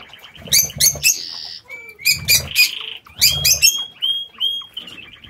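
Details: Aviary lovebirds in captivity give clustered shrill squawking chirps in three bursts, interspersed with buzzy notes and short high whistles, over a low background rumble.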